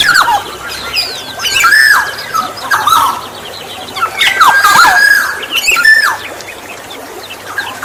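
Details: Black-naped oriole, recorded to draw in other orioles, alternates loud rasping squawks with looping fluty whistles, roughly one phrase every second or so.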